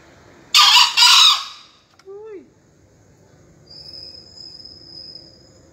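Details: Green junglefowl crowing during a 2020 final of a Surabaya bird's contest entry: a single harsh two-part crow, clipped first note then longer raspy one, followed by a faint falling whistle and a thin high steady tone.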